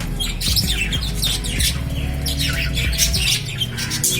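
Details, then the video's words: Lovebirds give shrill, rapid squawks and chirps in repeated bursts, over a steady low musical drone. "Love birds natural sound"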